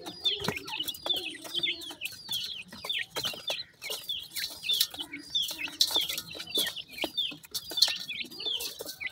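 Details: Black partridge chicks calling: a dense stream of high, thin peeping notes, many with a downward slur, overlapping and repeated irregularly about fifty times a minute, with faint clicks and scratching underneath.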